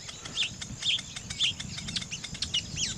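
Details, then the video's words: Nest-building weaver bird gives bright, twisting high chirps about every half second, then a faster run of sweeping notes ending in a looping phrase. "weaver bird sound n nest building"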